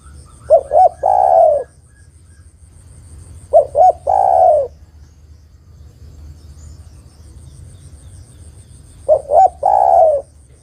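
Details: Female spotted dove calling to the male: three cooing phrases about three seconds apart, each two short hollow notes followed by a longer, slightly falling coo, over a faint steady high whine.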